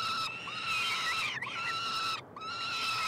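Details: Peregrine falcon triplets at a University of Montreal nestbox in Quebec, Canada, begging during a feeding on 21 June 2022; long grating wails, nearly continuous, with two brief gaps and slight pitch wobbles.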